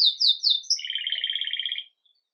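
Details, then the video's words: Agate red mosaic Belgian canary, lively at daybreak with Campainha song, recorded live: three quick falling high notes, a brief upslur, then a lower rolled trill fading out under two seconds. "Canário Belga Ágata Vermelho Mosaico Canto Campainha"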